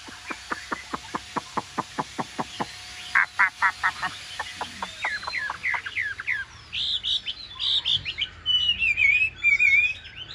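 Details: Caged Chinese hwamei, just bathed, hung out and singing freely without a partner bird. Sharp clicking ticks repeat for about three seconds, then short notes lead into varied, rapid whistled phrases rising and falling, with faint background noise.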